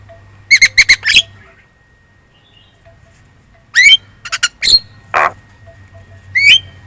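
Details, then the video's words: Javan myna, very chatty lure song played so other birds answer: two clusters of harsh, buzzy notes split by a quiet pause, a broad hissing rasp, and a short rising whistle at the end, over a low steady hum. "PANCINGAN JALAK KEBO super gacor cerewet.di jamin burung kamu langsung nyaut"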